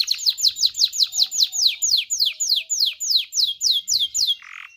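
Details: Canary song used to encourage mating: a steady sequence of loud, sharply descending sweeps, about three per second, ending with a brief buzzy note.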